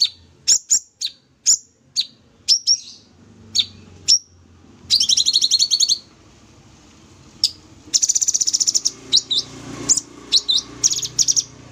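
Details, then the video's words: Master recording of a Sooty-headed bulbul in full 'tembak' song: a dozen sharp high chirps, then long fast rattling trills of rapid pulses, with faint low background hum in the second half. "Cucak Cungkok full tembak gacor"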